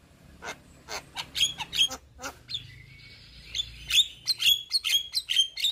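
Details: White-eyed Javan myna, head-bobbing, chattering to rouse a stressed, silent jalak kebo: dry clicking notes, a sustained buzzy whistle, then a quick series of sharp chirps about five per second.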